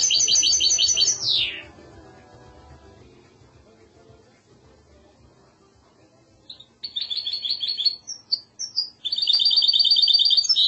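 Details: Goldfinch hybrid singing in the classical Andalusian style: a bright, fast, high twittering trill ending in a downward sweep, then a silent pause, then scattered chirps rising into another rapid repeated trill.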